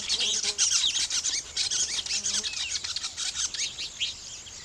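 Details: Weavers at nest building: busy, overlapping chatter, dense buzzy and sizzling notes mixed with sharp chirps, high-pitched and continuous like a noisy colony.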